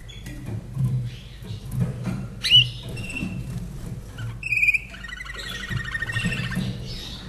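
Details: Common nightingale, a caged Austrian bird from 2011, sings isolated sharp whistles, then a short buzzy trill and a run of rapid warbled notes, against a soft low hum.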